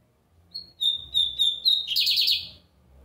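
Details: Bigodinho americano (lined seedeater) singing heavily on a Sunday. A short rising note leads into steady high whistles that break into a harsh, rapidly pulsed buzzing trill near the end.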